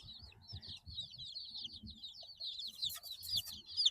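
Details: Eight-day-old baby chicks chirping: dense, high, downward-sliding peeps overlapping continuously, about two per second, with low thumping and rumbling noise underneath.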